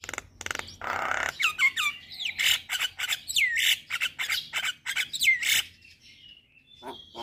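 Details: Starlings, a lure for Javan, black-winged and hill mynas: bursts of loud rasping chatter laced with clear down-slurred and up-slurred whistles, fading to a soft drawn whistle and a few quiet notes.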